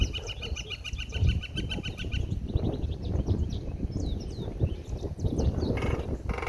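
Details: Pileated Woodpecker drumming on top of a metal light post in an office parking lot in Ottawa, a sound first mistaken for railroad work. A fast, ringing metallic roll runs for about two seconds, followed by small birds chirping and outdoor background noise.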